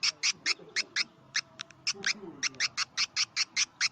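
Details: Swiftlet lure call for nesting houses, 'karindanga' style: quick, high, clipped chirps repeated steadily several times a second, with a short gap mid-sequence.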